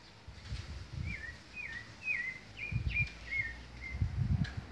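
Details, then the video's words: A thrush (sabiá) singing in a backyard: a series of short descending whistled notes around the same pitch, repeated about every half second, over low rumbling background noise. "Sabiá cantando no fundo de casa"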